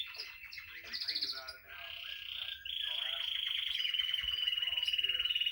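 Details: Quieter song of a female timbrado canary: soft warbling, then a long even metallic trill of fast repeated pulses that carries to the end.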